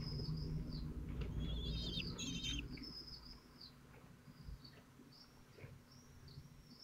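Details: Twelve-day-old falcon chicks in Théding, 22 June 2023, trying one after another to tear and swallow a large prey. Thin high whistles, a brief cluster of fluttering notes, then quick repeated short whistling calls over rustling.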